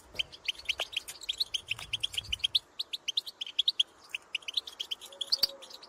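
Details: European goldfinches in open country, calling to others of the species; quick, clear tinkling notes in long twittering runs with short pauses, set against faint background hiss.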